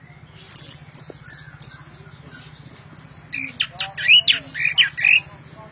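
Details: Orange-headed thrush in loud song: thin high whistles at first, then a dense run of quick, varied, scratchy and whistled notes in the second half, over a constant low mechanical hum.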